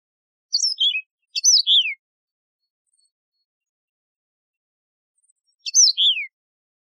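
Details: Yellow-fronted canary, the wild canary called Mozambique serin in Algeria, giving short song phrases of high chirps falling into downslurred whistles, with a long silent pause before a final matching phrase.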